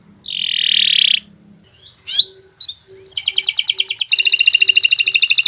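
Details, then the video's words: Canary song used to train other birds: a buzzy trill, a few sharp chirps, then rapid, rolling, evenly repeated trilled notes building into a dense fast rattle. "Kicau Burung Kenari 135 II LUAR BIASA GACOR PANJANG Cocok untuk Masteran"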